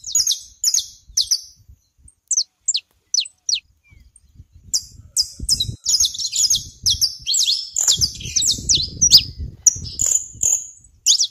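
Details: Saffron finch at a rural plot in Brazil, a few spaced high chips at first, then a dense, excited stream of sharp slurred notes, with faint low background noise.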